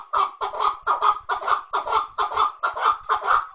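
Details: Chukar partridge repeating loud, doubled, rasping chuck notes at a brisk, steady pace, around two per second, with no other sounds.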